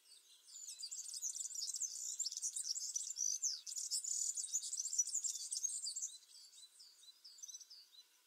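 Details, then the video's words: A European serin (Serinus serinus) gives its high, fast, jingling song, a continuous rush of tinkling, buzzy notes, with no other sounds intruding. "Vogelstimmen: Der Girlitz - Serin - Serinus serinus"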